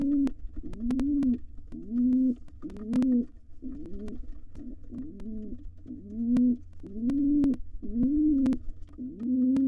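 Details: Wild pigeon in a nest box, a male courting the female while nestlings exercise their wings before fledging; low rising-falling coos repeated about once a second, with occasional sharp clicks and knocks.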